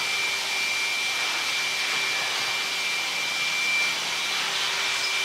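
Steady loud machine-like hiss, similar to a vacuum cleaner, with constant high and low hums throughout and no animal sounds.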